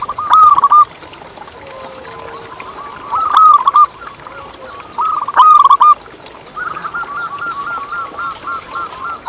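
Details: Local zebra dove song meant to prompt other zebra doves to sing: three short loud bursts of tumbling coos, then a longer softer run of quick repeated notes at the end.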